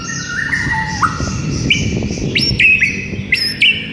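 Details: White-rumped shama song played in the morning as training material for a quiet caged bird: clear whistled notes that step between pitches, then sharp rising and falling whistles repeated about once a second over low rumbling background noise.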